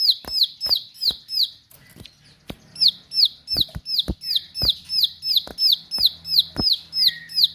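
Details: Bar-winged prinia singing hard and piercing, repeating bright high notes that each drop in pitch, roughly three a second, with a short pause near two seconds, punctuated by dry clicks and a faint low hum behind.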